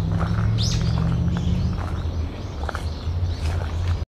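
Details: Brown-eared bulbul, recorded 14 October 2015 around 13:25 and described as possibly giving an earthquake-warning call: one loud, shrill, arched call near the start, then a few faint short chirps over a steady low rumble.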